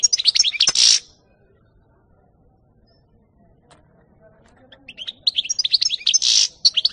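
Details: European goldfinch, 2018: a short burst of rapid twittering with one buzzy rasp, a few seconds of silence, then a longer tinkling, chattering phrase ending in another harsh buzz.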